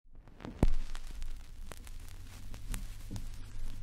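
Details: Low hum and crackle with a few sharp clicks, no animal voice present.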